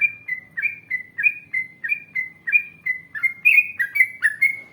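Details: Lure recording of a yellow-vented bulbul in long 'ngalas panjang ropel panjang' style: a string of brief, liquid, down-slurred notes at an even pace, ending with a few brighter, higher phrases, over faint low background noise.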